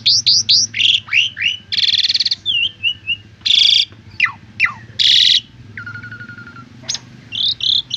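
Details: Asian pied starling song used as a training recording for young birds: a loud, varied stream of whistled rising and falling notes, harsh buzzy bursts and quick chattering phrases, over a steady low hum.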